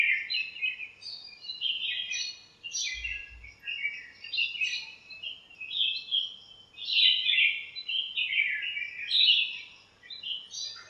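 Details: Backyard birds filling a lemon tree with morning chirps and playful fighting, many voices twittering continuously in high, overlapping bursts throughout, a brief low thump partway through.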